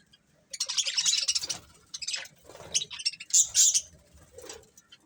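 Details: A budgerigar breeding pair gives a continuous run of raspy, high warbling chatter with quick chirps, rising to louder sharp notes partway through, plus faint low thumps.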